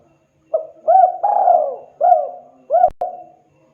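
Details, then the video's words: Spotted dove calling to other birds, one complete phrase of soft low coos: a short note, an arched coo, a long downward slide, then two more arched coos, with a faint click near the end. "Suara burung tekukur deruk derkuku Gacor memanggil TEMAN Ikutan RESPON Bunyi"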